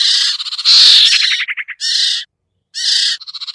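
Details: Sirtu lure sound: loud rasping buzz that breaks into a rapid stuttering trill, followed by two short grating chatters separated by a silence.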